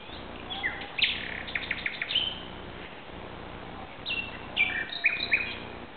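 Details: Common nightingale singing at night in Barcelona, Spain, at 2:30 am on 17 May 2009: two bursts of varied song with whistled notes, rapid repeated chips and short slurred phrases, separated by a pause, over a steady low hiss.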